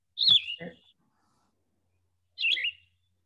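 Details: A recording of a Yellow-throated Vireo, a species singing at Wekiwa Springs State Park, Florida, gives two burry, slurred phrases about two seconds apart, dropping then rising, while a brief low voice murmurs under the first phrase.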